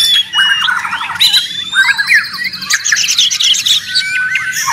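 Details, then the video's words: White-rumped shama, described as very noisy and used as training audio for songbirds: dense, varied song of rapid trills, sweeping whistles and harsh chattering notes, with several overlapping phrases and no gaps. "Murai ribut Sangat berisik."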